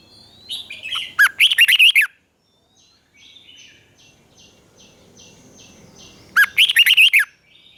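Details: Caged red-whiskered bulbul in Thailand singing a southern master-style song used to excite other caged birds and train young birds: two short bursts of rapid, bubbling whistled notes about five seconds apart, with faint high tones between.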